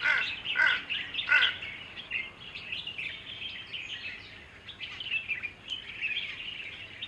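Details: Himalayan bulbul drinking water in the Margalla Hills, Islamabad, giving harsh, chattering calls, loudest in three bursts over the first two seconds, followed by softer twittering from other small birds.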